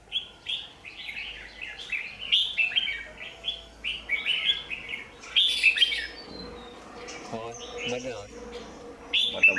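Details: Red-whiskered bulbul acting as a lure bird at a trap, 27 January 2019; steady stream of short warbled phrases repeated quickly, a brief buzzy low sound in the later part before the song resumes.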